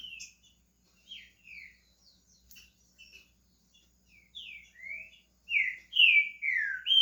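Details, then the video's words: Brazilian pet green-winged saltator warming up into song, with thin, hesitant chirps at first, then building to strong, rising and falling whistled phrases at the end. "Trinca ferro SHREK começando a cantar"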